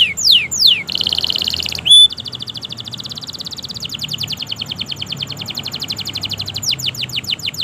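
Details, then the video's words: Canary in long, continuous 'gacor' song meant to prompt silent canaries to sing: steep descending whistled sweeps, then a rapid buzzy trill and long runs of fast repeated notes. "Masteran suara Burung Kenari Gacor Panjang Auto Nyaut Kenari Macet dan Paud"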